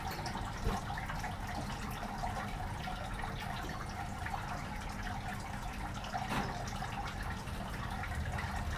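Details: Continuous trickling water and indoor room noise fill the recording, with no animal voices.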